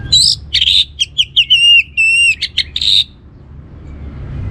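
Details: Orange-headed thrush giving a provoking song meant to stir other birds into singing: a fast run of sharp chips, then clear slurred whistles and rising notes with buzzy accents, lasting about three seconds, over a low steady hum.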